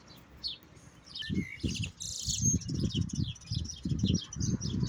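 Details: European goldfinch twittering in high, tinkling bursts with a few clear whistled notes and a brief buzzy note, over loud repeated low thumping noises.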